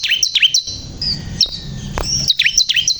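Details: Ciblek kristal, or bar-winged prinia, singing energetically: sharp descending chirps in quick bursts at the start and end, with a thin sustained high whistle in between over a soft murmuring background.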